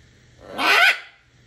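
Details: Macaw in the morning, a single loud harsh screech lasting about half a second, raspy and broadband with a strong nasal middle, rising then falling slightly, over a quiet room background with low hum.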